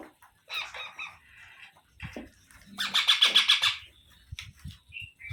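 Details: Parrot chick indoors, an Indian pet bird, with softer rasping notes first, then a loud run of about eight fast harsh pulses, and light tapping sounds afterwards.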